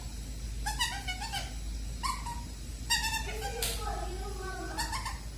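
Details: Indoor pet bird, caged in the evening before sleeping at 8 pm, producing new vocal sounds: clustered, buzzy, harmonic chatter and short squeaks in several bursts, with a low steady hum in the room.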